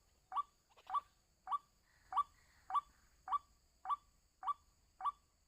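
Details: White-breasted waterhen responding to a lure: a short upward-hooked kwak note repeated evenly almost twice a second, nine times, over faint steady background hiss.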